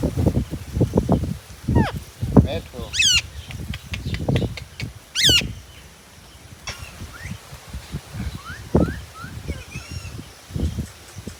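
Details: Indian ringneck parakeet kept as a talking pet, letting out a few piercing, harsh screeches among soft chatter-like notes, with frequent low knocks and background rustling.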